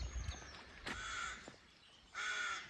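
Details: A crow gives two harsh, rasping caws about a second apart, the second louder and longer, over a soft outdoor hush and low rumble, as a walk by the Gannel Estuary near Crantock enters woodland where crows nest in the trees during courting season.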